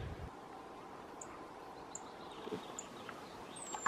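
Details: A rustic bunting family in Hedmark in 2016 gives thin, very high, sharp ticking calls, spaced irregularly about a second apart, over a steady low outdoor hiss.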